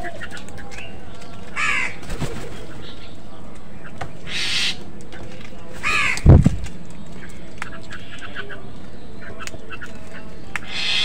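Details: Crows fighting other birds for food: a few harsh, raspy caws stand out at intervals over a busy background of chirping birds and low rumbling noise.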